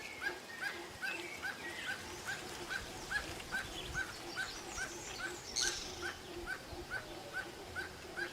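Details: Barbet calling in forest: a steady series of short, hollow, mid-pitched notes about 2.4 a second, with faint higher chirps from other birds and a low background hum.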